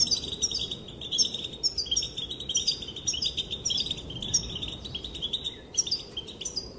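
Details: Female European goldfinch calling, said to set males dancing; bright twittering chirps and liquid trills in quick runs, with short pauses between bursts, steady low hiss underneath.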